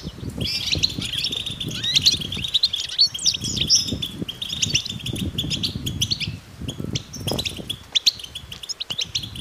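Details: A flock of European goldfinches twittering together outdoors in nature, mating and readiness calls meant to stir males into song; dense high, rapid chirps and trills run without pause, over low rumbling background noise.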